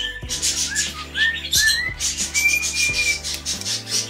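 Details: Pet cockatiel singing: rising whistled slurs climbing in pitch, then one long even whistle held about a second, amid raspy chatter and a steady low hum.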